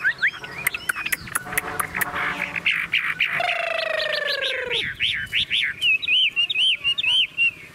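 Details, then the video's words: Tame Chinese hwamei in a shaken, hand-carried cage. Clicking and rattling come first, then a buzzy, harmonic-rich drawn-out note, followed by a fast string of sharp rising whistles and looping phrases. "Họa mi thuần điện căng đét - Xách tay lắc lồng hót đỉnh"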